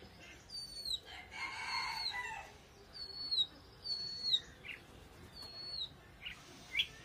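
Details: Oriental magpie-robin song heard faintly: a few thin, clear whistles that slide downward, separated by pauses, with a noisy scratchy passage early on.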